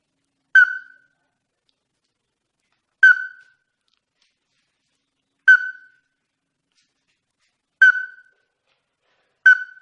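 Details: Ruddy-breasted crake calling, used as a lure recording for trapping: short, hard, clipped notes spaced about two and a half seconds apart.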